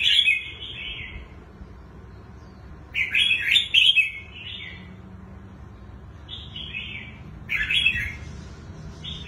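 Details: Wild-caught red-whiskered bulbul known for its twisting song style delivers bright, slurred, rolling phrases every few seconds, separated by quiet gaps with soft background hum.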